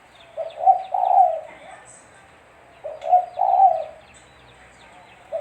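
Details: Spotted dove (tekukur) giving lure calls for trapping: two low cooing phrases about two and a half seconds apart, each short notes leading to a longer coo, a brief faint voice and small-bird chirps behind.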